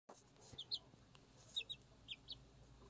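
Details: Six chicks, Araucana and Leghorn, kept at home, eating and drinking; a few short high peeps in pairs, scattered across a quiet background.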